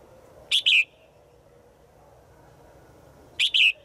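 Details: A female bird in the forest calls to a male with a strong two-part chirp, the second note falling, repeated once after about three seconds of quiet background noise.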